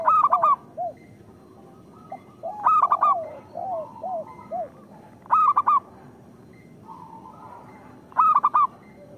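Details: Zebra dove of a local strain singing as a lure for other zebra doves: loud clipped bursts of three or four coos about every two and a half seconds, with soft lower arched notes between them.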